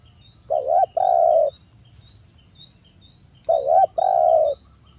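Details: Spotted dove calling a rival in the 'kuk 1' manner while local males respond. Two matching low mellow phrases, each a quavering coo then a sustained hoot, spaced about three seconds apart over a faint steady high hum.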